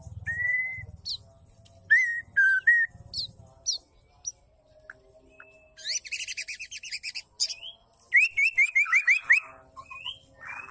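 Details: Female white-rumped shama giving calls said to make males sing: clear slurred whistles and sharp clicks, then bursts of rapid, buzzy rising notes and a few descending whistles, with a low rumble at the start.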